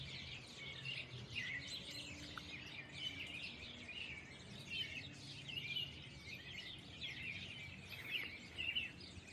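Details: Common swifts heard as a dense chorus of high, shrill, buzzy screaming calls that rise and fade, with low environmental rumble.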